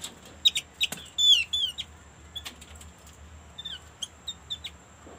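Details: White-eye sound used to coax birds of the same kind into singing: quick high chirps and a burst of slurred descending whistles early, then softer scattered chips.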